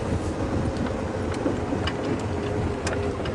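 Steady low vehicle rumble and wind buffeting during an evening safari drive, with scattered faint clicks and no animal voices.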